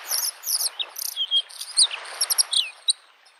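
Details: Varied Bluethroat song by a spring lake: harsh high buzzy phrases, thin whistles and sharp downslurred notes mixed in a rapid, changeable sequence, with the soft sound of waves behind.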